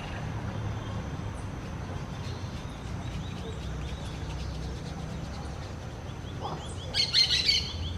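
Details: Orange-chinned parakeets give faint scattered chirps, then a short loud outburst of shrill, overlapping squawks close to the end, with a constant low background rumble throughout.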